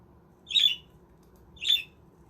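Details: Pet budgerigars in a homemade aviary give two raspy, buzzy squawks about one second apart, with a faint steady hum underneath.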